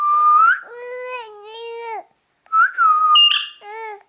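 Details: Ringneck parakeet voice: a whistled tone rising then holding steady, drawn out into a long harmonic phrase, followed after a pause by a similar whistle and a short harsh burst.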